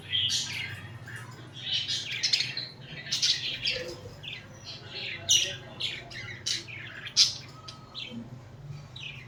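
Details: Budgerigars kept as pets, cuddling and fighting, make scattered sharp squawks and short buzzy chirps, some louder peaks, over a faint low hum.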